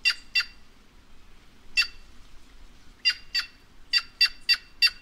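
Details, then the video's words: White-naped jay, known locally as gralha-cancã, giving loud harsh nasal calls with a ringing overtone. The notes come singly or in quick pairs, about ten in five seconds, over a faint low hum. "Canto da Gralha Cancã"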